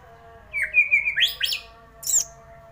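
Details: Magpie-robin singing a short varied phrase of slurred whistles, rising and falling, with a few sharper notes, followed by a high squeaky note after a brief pause; a faint steady hum sits underneath.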